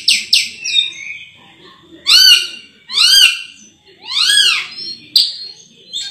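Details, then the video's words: Sulawesi myna singing melodiously: two sharp opening notes, then loud rich arched whistles rising and falling, each about half a second long, spaced roughly a second apart, ending in a sharp chirp. "BURUNG RAJA PERLING ‼️suaranya merdu sekali"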